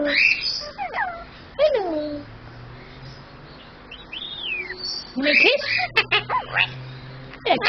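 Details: Male superb parrot kept as a pet repeating learned human phrases: gliding, nasal speech-like syllables and an arched whistle, with a long quiet gap between bursts.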